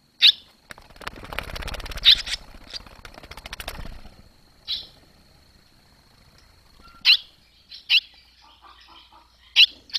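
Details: Barn swallows on 21 July 2023 as the young fledge from the nest after days of flying out and back: sharp high chirps scattered through ten seconds, with a burst of fluttering, rustling noise early on.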